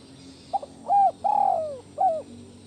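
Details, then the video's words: Spotted dove, captive, cooing to calm stressed doves: two soft brief notes, a level coo, a long smoothly falling coo, then one short final coo, mellow and low over light hum. "Atasi Stress... Pada Burung tekukur Anda"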